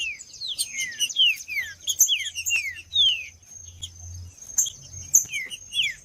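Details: Rufous-bellied thrush song played to warm up a cold bird: quick slurred whistled notes falling in pitch, repeated irregularly over a steady high thin whine, sharp clicks and a low rumbling hum.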